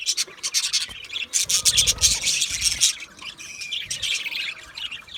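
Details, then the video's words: Budgerigars, Australian budgie parakeets, chirping as a flock: dense overlapping high chirps and scratchy squawks in rapid bursts, with a few thin whistled notes and brief low rumbling underneath. "Budgie parrot chirping sounds"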